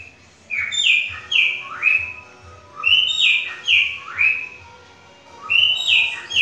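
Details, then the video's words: A cockatiel sings an imitation of green-winged saltator song, repeating a phrase of several bright, downward-sliding whistles about every two and a half seconds, with soft low noise in the background. "CALOPSITA CANTA TRINCA FERRO."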